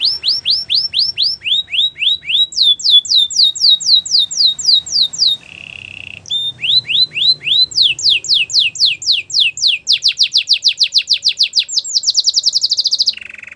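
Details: Belgian canary song made of rapid series of upswept whistled notes repeated several times a second, broken by short low rolled trills and brief pauses, with the sweeps speeding into a dense trill near the end.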